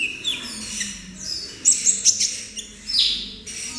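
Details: A young wild-caught brown-throated sunbird in captivity practising its song: a thin, high twittering warble broken by several sharp, quick chirps.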